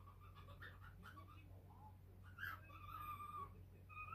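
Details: Five-month-old pet cockatiel perched on a light-blue sand perch, chattering with varied calls indoors; faint whistled notes, a short rising squeak near the middle, then drawn-out level whistles over a steady low hum.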